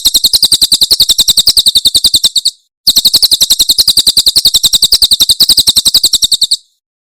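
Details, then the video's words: Javan prinia from Cililin singing two long bursts of rapid, ringing, high-pitched notes, each lasting over two seconds, separated by a brief pause, with clean, quiet surroundings. "Masteran Tembakan Cililin SUARA SUPER JERNIH"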